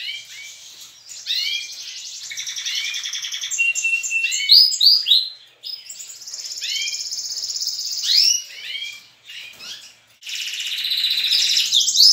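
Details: Young and adult canaries singing together in the morning at a breeding aviary, chicks chattering among adults: overlapping trills, rapid chirps and rising whistled notes at high pitch, several singers at once, with brief pauses near the middle and end.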